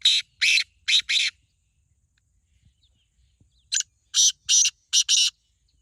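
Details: Black francolin, one of two birds compared in a calling contest, two loud harsh phrases each of four or five rasping notes, separated by nearly three seconds of silence.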